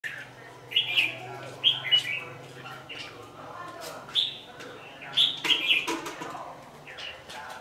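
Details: Red-whiskered bulbul decoy singing at dusk during trapping on 27 November 2018: short, bright warbled phrases in about five bursts with quieter gaps, over a steady low hum.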